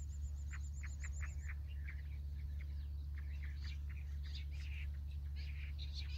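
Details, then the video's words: Jungle bush quail give a quick run of short chirping notes, several a second, then scattered high twittering calls, over a steady low rumble; the call is used to lure and catch quail. "Jungli bush batair awaz se jungle batair ko pakadna"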